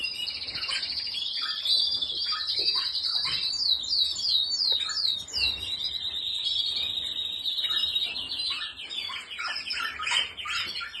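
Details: Canary, listed among Spanish Timbrado, Malinois and Portuguese Harlequin breeds, singing a long continuous high trill with rapid rolling repeated notes, shifting into quick tinkling phrases, dense and unbroken with faint clicks in the background.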